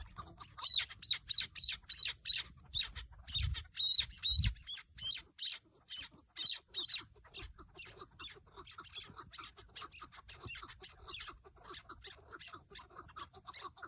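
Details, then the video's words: Partridge heard on a 30 March 2024 hunt using a decoy partridge, giving a fast run of rasping chuck notes, with a thin high whistle threaded through the first seven seconds and occasional low thumps. "çatı keklik avı keklik sesi"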